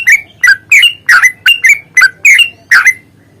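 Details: Fighting-style yellow-vented bulbul song, used as a lure to provoke singing: eight loud, chattering bubbly notes, each a quick slurred twist, delivered in an uneven run with brief gaps before fading out.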